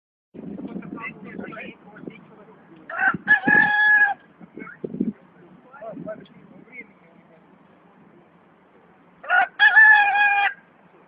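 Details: Russian rooster crowing: a loud, harmonic cock-a-doodle-doo near three seconds and another near ten seconds, with softer clucks and murmuring sounds in between.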